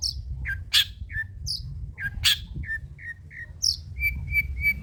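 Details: Old-style long-tailed shrike song material for luring and tutoring birds: varied squeaky, downslurred chips alternating with high sharp notes, ending in a quick series of short even whistles, with low background rumble.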